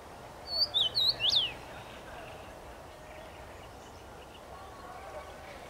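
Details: Whistled song of a common rosefinch perched in a tree, 23 May 2021: a single four-note phrase near the start, ending in a rising-and-falling slur, then several seconds of soft background hiss.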